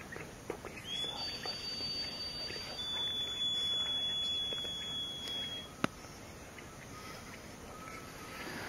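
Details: Blue-throated piping guan (Gray's, Pipile cumanensis grayi) at Pouso Alegre, Pantanal, Brazil, 22 September 2013, giving thin, very high, drawn-out whistles, a short one then a long level one lasting several seconds, over soft rustling and a few sharp clicks.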